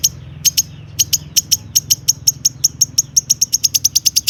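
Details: Long-tailed shrike in full song with mimicked material, played to prompt other shrikes to sing: sharp, high clicking ticks that start spaced and quicken into a rapid even series, over a low hum.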